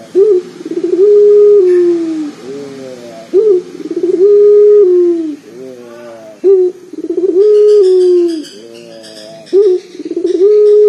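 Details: Deep, loud cooing from a local collared dove kept as a lure bird. About nineteen phrases a minute, each opening with a sharp rolling stutter, then a long level low note that sinks at the end.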